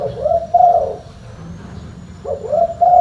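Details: Deep-voiced spotted dove in full-bass call, two low cooing phrases about two seconds apart, each rising briefly into a rounded, sustained hoot.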